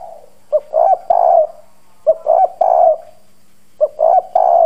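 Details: Decoy spotted dove, hoarse bronze voice, pressing its coos to lure wild doves. Three matching phrases, each a quick short note then two sustained husky coos, recur roughly every 1.5 seconds.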